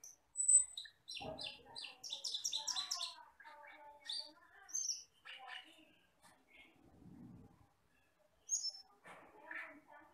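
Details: Black, red-eyed Asian glossy starling from the forest, heard in a tutor recording: a high whistle, then a rapid jumble of squeaky chirps and chatter, scattered thin whistles and scratchy notes, with quiet gaps between bursts.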